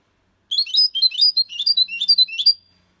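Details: European goldfinch, six months old, clean Malaga copy song: a two-second phrase of quick, high, slurred chirps and twitters, evenly paced, ending in a longer drawn note.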